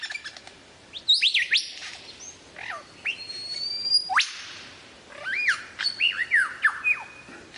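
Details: Lyrebird producing a mix of varied sounds: separate swooping whistles, a long rising sweep, and a cluster of bright looping notes over a soft hissing background.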